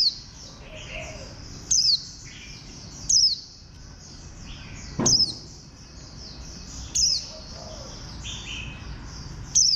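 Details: A bantam-shaped green white-eye, a Warbling white-eye, repeats brief piercing downward-sliding chirps at uneven intervals of one to two seconds, with a busy high chorus of other birds and one dull knock behind.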